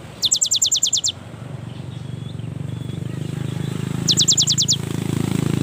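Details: Singing young cinereous tit, meant to coax lazy birds to sing, delivers two rapid high trills a few seconds apart against a loud, droning low-pitched background noise.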